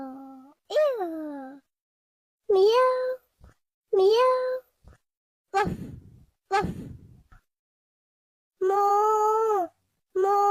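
Macaws trade calls in a duet: drawn-out, wavering, meow-like notes that rise and fall, alternating with a few short, harsh squawks, about one every second or two.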